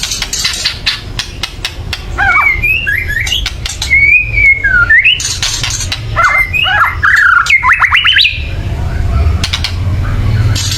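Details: Agitated white-rumped shama making a loud chatter used to provoke birds to sing: rapid harsh clicks broken by wavering whistled notes and quick upward slurs near the middle, with low rumbling noise at the start and end.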